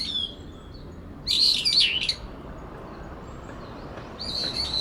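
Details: Brown-eared bulbuls, two birds disputing territory in a cherry tree in late September. The resident bird angrily calls over an intruder. A thin call is followed by a loud burst of harsh, warbling shrieks, then a quieter drawn-out squeal near the end.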